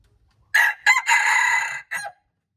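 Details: Crow of a red junglefowl, dated March 2, 2025: a short opening note and a second short burst lead into a long harsh held tone, closed by a brief downward final syllable in near silence.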